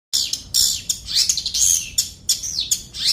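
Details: Long-tailed shrike song: a dense run of high, scratchy chattering and squeaky notes with brief whistled slurs, delivered in quick bursts separated by tiny gaps, no other sounds evident.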